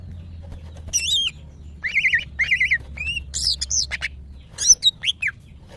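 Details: Caged female greater green leafbird in breeding condition, calling for males: wavering trilled whistles repeated in short phrases, then louder squeaky high notes and downslurred chirps, with a low droning hum behind.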